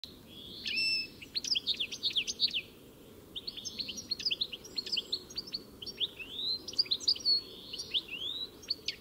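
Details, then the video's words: European goldfinch singing: rapid tinkling phrases of bright, high twittering notes with quick upward and downward slurs, delivered in bursts separated by short pauses, against a quiet background. "Самая красивая песня щегла (Аудио) Как поёт щегол? Пение птицы щегол Песня щегла"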